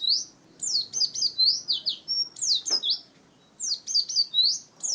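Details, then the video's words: Oriental white-eye song for luring birds and tutoring other songbirds, apparently recorded indoors: short strings of high, slurred chirps and rising whistles in bursts, a single sharp knock midway, and a pause before the final phrase. "kicau burung Pleci"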